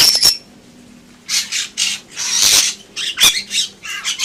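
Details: Loud Bali myna (Leucopsar rothschildi) singing in rasping, noisy squawks mixed with short thin whistles and sharp clicks, bursts coming every half second or so, a soft low hum underneath.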